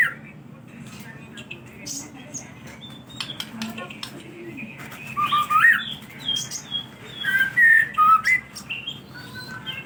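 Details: Song of a white-rumped shama used to coax other birds into singing: scattered faint chips at first, then a string of loud whistled and slurred phrases.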